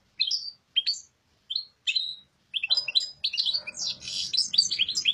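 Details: European goldfinch, kept by an owner, singing: a few separate high chirps, then a fast run of twittering, tinkling notes.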